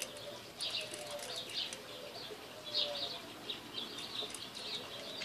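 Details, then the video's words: A female pet parakeet playing with a new bird toy she loves chatters in soft, scratchy high chirps and warbles, broken by brief rustles and taps. "Parakeet playing"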